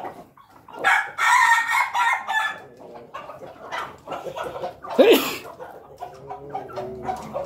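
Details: Crowing Pelung chicken among other fowl: a harsh, broad crow fills the opening seconds, followed by busy clucking and a second sharp, rising-then-falling crow burst, with chatter continuing afterward.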